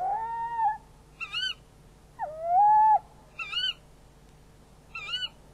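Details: Tawny owls exchanging prey at the nest, filmed by a nest camera at 23:44 on 11 February 2016: loud drawn-out, slightly falling calls answered by shorter, higher quavering notes, alternating over five seconds.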